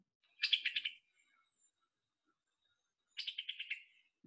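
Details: Summer Tanager call, distinct from the Scarlet Tanager's "chick-burr" call: two rapid, chattering bursts of about six clipped, high notes, like "pi-tuck-i-tuck", about three seconds apart.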